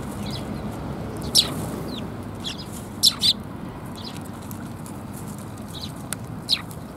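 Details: At a Tenmangu shrine on 10 January 2022, Eurasian tree sparrows come for food, giving scattered bright chirps, a loud double chirp near the middle and fainter single notes, against a quiet hissing background.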